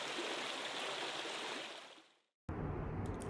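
Steady rushing stream water fades out briefly, then returns with louder splashing; no animal calls are heard.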